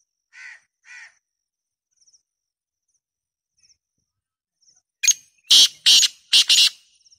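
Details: Black francolin calling: two soft, buzzy opening notes, a long quiet pause with faint ticks, then a loud, harsh, grating burst of four rapid notes.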